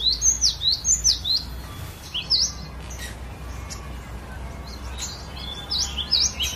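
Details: Varied song of a cinereous tit, played to train other birds: bursts of sharp high V-shaped whistles repeated rapidly, a quieter gap in the middle, then another run of notes, with steady low hum behind.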